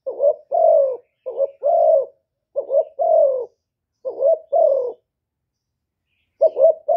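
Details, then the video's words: Spotted dove kept as a decoy to lure wild doves, Cà Mau, Vietnam. Several paired coos, each a quick bubbling note and a longer falling coo, then a pause of more than a second before calling resumes, in quiet surroundings. "CU GÁY MỒI ĐẤT, CU ĐẤT GÁY, CU CƯỜM GÙ KÍCH BỔI, TIẾNG CHIM CU MỒI"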